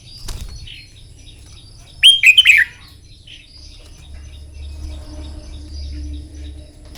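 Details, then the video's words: Red-whiskered bulbul singing in the morning, trained for song contests: one short, loud, warbled phrase of quick slurred notes rising and falling, set between long quiet stretches with faint low background rumble. "Chào mào hót kích lửa " luyện chào mào hót đấu buổi sáng" kích chim hót căng lửa"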